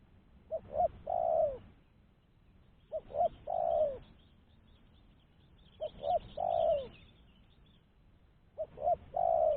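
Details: Spotted dove calling, a clean recording used as a lure for trapping other doves: three-part coos, two short notes then a long falling one near 600-700, repeated about every two and a half seconds, four phrases, quiet background.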